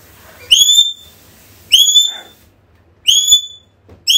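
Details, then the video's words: African grey parrot call for luring back a lost bird: a repeated sharp upslurred whistle ending in a level tone, given about every 1.3 seconds, with a faint lower note between two calls. "AFRICAN GREY SOUNDS CALLING"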